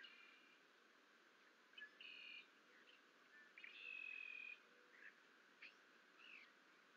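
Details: Bald eagle chicks at the Fort St Vrain nest, hatched April 9, bonking each other after a parent flies off, April 21, 2024; thin high chirps and squeals in short bursts, one longer piping call midway, over steady background hiss.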